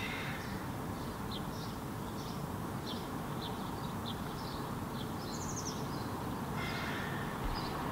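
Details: Juvenile first-calendar-year European goldfinch foraging in a tree in Helsinki, Finland, in July 2017; faint, short, high twittering notes come at irregular intervals over a steady low background rumble.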